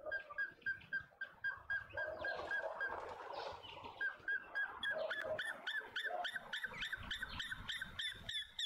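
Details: Male African grey hornbill in a suburban garden in Pretoria, South Africa: a series of piping whistled notes, thin and plaintive, repeated several times a second and speeding up toward the end, with some rustling and background noise in the middle.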